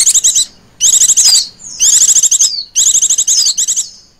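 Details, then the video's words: Female Oriental white-eye giving a lure call: four dense bursts of fast, high chirring notes, some ending in a falling whistled slur, repeated about once a second with brief gaps. "pancingan pleci betina ngecirrr"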